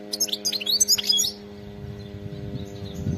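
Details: Wild European goldfinch giving a brief burst of fast, tinkling twitters and buzzy notes lasting about a second, then a low background rumble with a steady hum.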